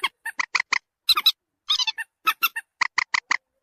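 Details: Common moorhen lure recording to draw birds near: quick harsh clucks about twice a second, a rasping chattering burst midway, then a tidy run of four evenly spaced sharp notes.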